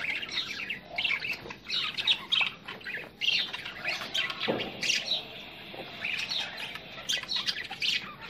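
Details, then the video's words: Budgerigars in an aggressive encounter give quick, sharp chirps and rasping squawks in irregular bursts, with brief pauses. One lower, broader click-like sound comes midway. "Australian Budgie Parrots Meeting Aggressively"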